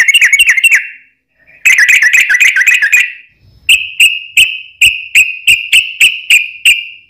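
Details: Sooty-headed bulbul singing, meant to stir other bulbuls to answer: bursts of quick bubbly warbling, then a steady series of short clear whistled notes spaced roughly a third of a second apart.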